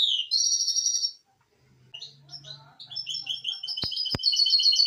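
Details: Misto hybrid canary on a recording for training young birds: a bright high trill, a pause with faint soft notes and a low hum, then quick repeated chirps broken by two sharp clicks.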